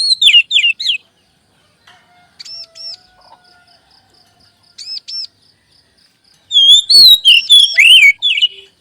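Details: Oriental magpie-robin (kacer) lure song to make caged birds sing: opening quick whistles, a quieter stretch of paired arched notes over steady high ticking, then a loud closing run of swooping, rich whistled notes.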